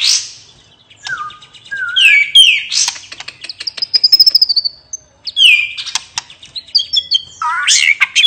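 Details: White-rumped shama pouring out a relaxed ngeplong song of high fluting whistles, a rapid trill of thin notes, and sweeping slurred phrases with brief gaps.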